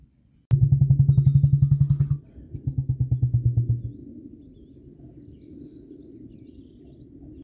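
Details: A female emu drums in two bouts of fast, deep, hollow thumps, about four per second, then falls quiet; faint high bird chirps sound in the background.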